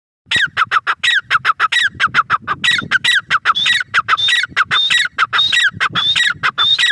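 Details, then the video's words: Grey francolin, locally called teetar, calling in a rapid series of loud, harsh, high notes, each with a sharp whistled rising tip, repeated steadily over about seven seconds. "Teetar awaz || teetar sound || teetar ki awaaz || gray francolin teetar voice"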